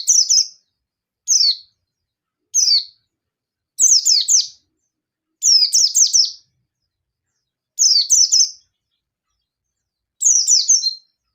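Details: Agitated local yellow-bellied Oriental white-eye singing to provoke rivals; seven brief bursts of high, falling chirpy notes, single at first, then clusters of two to four, spaced irregularly over eleven seconds.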